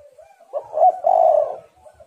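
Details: Female spotted dove giving a single call phrase used to attract males: a brief clipped note, then one long, rough, low coo lasting about half a second.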